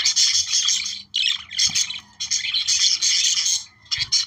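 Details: Warbling budgerigars played to stimulate breeding: quick scratchy chatter and squeaks in several dense bursts separated by brief gaps, with faint low knocks behind.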